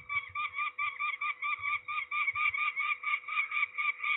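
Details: Peregrine falcon being ringed at Trzebież, Poland, 13 May 2019, gives rapid, evenly pulsed harsh cackling notes, about two to three a second, throughout, with soft low bumps underneath.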